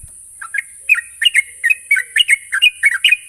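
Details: Sooty-headed bulbul singing, used as a lure to help an unschooled young bird start singing fast. Quick bubbly chirped whistles come in dense pairs after a brief quiet start. Constant high hiss in the background.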